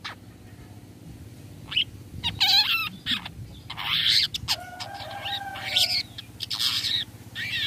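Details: A long-tailed shrike lure call gives a busy mix of sharp chirps, harsh scratchy notes and a drawn-out level whistle in short irregular bursts, with faint hiss. It is used to make other shrikes answer.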